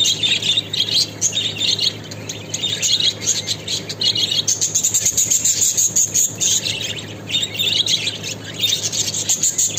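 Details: Budgerigars during mating chatter in a fast, continuous stream of high, scratchy warbles and chirps.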